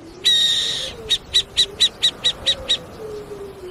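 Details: Owl calling: a harsh, hissing screech of about half a second, followed by a quick series of eight short, high, clipped notes at roughly four per second. A faint low hum runs underneath.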